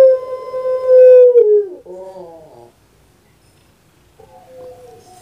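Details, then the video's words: Puter pelung dove kept in Indonesia: the tail of a long sustained coo sliding downward, a short wavering gurgle, silence, then a soft faint note starting again. "KURANG AJAR BENER SUARANYA BIKIN PUTER PELUNG LAIN SAKIT HATI"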